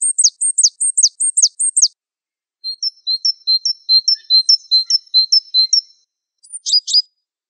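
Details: Wingko Java sparrow mastering recording: a burst of high notes sliding steeply down, a pause, a run of paired chirps alternating two pitches, then two brief high downward-sweeping notes.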